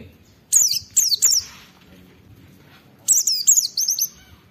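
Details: Oriental white-eye, a caged songbird, singing loudly to provoke other white-eyes to answer and sing: two bursts of very high, thin, rapid twittering phrases with sharp descending slurs, separated by a pause of about two seconds.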